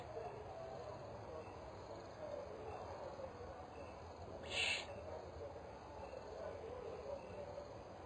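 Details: At the nest on 22 October 2010, a Spotted eagle-owl (Bubo africanus) mother visits, and one brief, sharp, airy hiss cuts through otherwise quiet, steady background hum.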